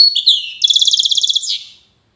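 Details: European goldfinch in Safi, Morocco, delivering Widani-style song: a few slurred whistled notes lead into a rapid, even trill of roughly fifteen pulses that fades out at the end.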